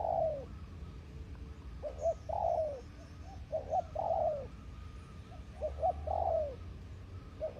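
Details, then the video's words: Spotted dove used as a decoy bird, cooing at moderate distance: soft repeated phrases of short notes ending in a longer falling coo, about every two seconds, over low rumbling background noise. "Cu gáy mồi đất"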